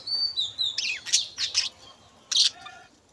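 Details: Budgerigars in a breeding colony where hens have laid eggs; sharp high chirps and short buzzy squawks in quick bursts, with a thin whistled note at the start.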